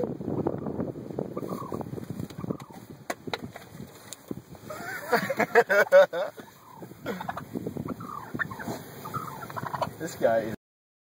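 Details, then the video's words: Angry domestic turkey confronting and attacking people: a burst of rapid rattling gobbles in the middle, then further shorter gobbling calls, mixed with people talking and laughing nearby. "When Turkeys attack"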